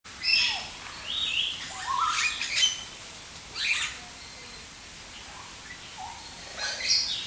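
A Black-headed weaver gives harsh, buzzy chatters and sizzling notes in bursts, with a quiet break mid-clip. Faint background hiss throughout.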